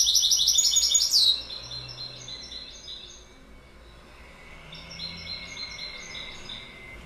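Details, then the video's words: Goldfinch song opening with a bright, rapid, tinkling twitter that ends in a sliding note. Quieter rippling phrases and a thin sustained whistle follow, and a softer twittering burst rises again toward the end. "Goldfinch Bird Sound"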